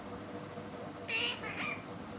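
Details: Talking pet parrot gives two quick voiced syllables, the first sharp and high, the second slightly lower and trailing off, against a constant background hum.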